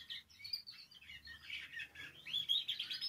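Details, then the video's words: Canary singing to encourage other canaries to sing, heard at moderate level: a jumble of quick warbled and chirping notes, with a low background hum. "Canario Cantando. (Ideal para ESTIMULAR canto de canarios)"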